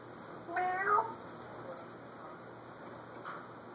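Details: Indoor African grey parrot, left alone in the room, producing a meow-like mimicked cat call, a short wavering tonal phrase followed by faint softer sounds amid steady background hiss.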